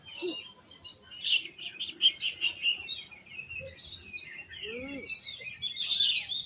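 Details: Varied singing of an oriental magpie-robin: sharp high chips, short whistled phrases and fluty slurs, with a few lower downward notes mixed in, pausing briefly between bursts.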